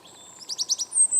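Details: European robin singing on a cold November morning in a garden, a young bird grown tame: a quick, very high trill of five rapid notes, then a thin sustained high tone, with a faint constant hum behind.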